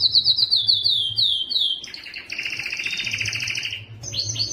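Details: Breeding song of a Belgian canary, delivered loudly to attract females, opening with a series of high descending slurs, then a fast churring trill, ending in quick rising notes.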